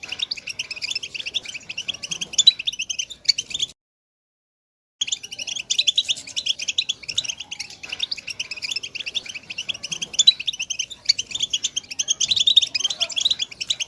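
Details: European goldfinch chatter aimed at getting silent goldfinches to sing: fast, high twittering and buzzy trills, cut by about a second of silence near four seconds, then resuming densely to the end.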